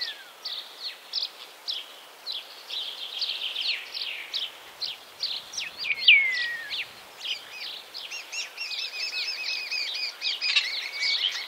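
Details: Singing common starling, Wittlich area, Germany, 2017: a run of regular rattling clicks and short buzzy notes, a long descending whistle around the middle, then rapid repeated chirping phrases at the close.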